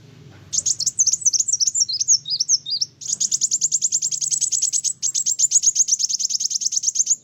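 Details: Van Hasselt's sunbird singing loudly and continuously, provoking other birds: thin, very high twittering phrases that wind up and down, then long rapid buzzy trills of even ticking notes; faint low hum beneath.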